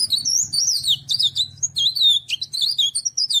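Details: Ornamental cikrak daun (tralis) delivering a continuous high, squeaky warbling song of quick slurred whistles and tinny chips, packed densely together, over a low steady hum.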